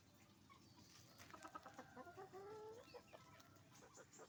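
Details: Roosters and hens at a chicken farm: quick clucks build into a drawn, rising squawk lasting about half a second, then more scattered clucking from the flock over a low hum.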